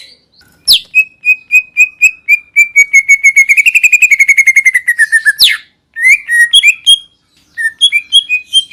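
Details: Greater green leafbird delivering a long trill of clear whistled notes, speeding up into a rapid rattling run, then a sharp sweep and a few varied chirps and whistles; quiet background.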